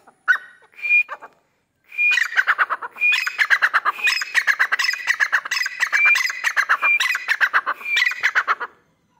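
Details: A grey francolin being trained gives loud, harsh, rapidly pulsed phrases, each with a sharp whistled note, repeated about once a second for several seconds.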